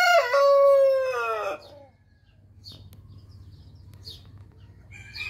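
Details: The tail of a rooster crow from Orpington and Marans roosters: a strong, harmonic, gradually falling drawn-out note that fades out, then quiet yard background with faint distant chirps.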